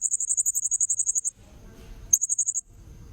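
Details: Blue-crowned hanging parrot lure recording: a fast run of very high, sharp squeaky notes, about fifteen in quick succession, then a pause with soft low background rumble, then a second shorter burst of the same shrill notes.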